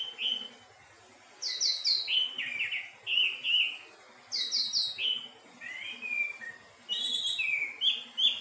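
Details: Melodious thrush song of varied whistled phrases: descending note clusters, bright slurs and quick chattery runs, delivered in bursts with brief gaps.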